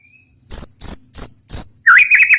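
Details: Roll tembak from a white-rumped shama (murai batu): a faint whistle, four harsh buzzy shots at an even beat, then a sudden rolling warbled phrase.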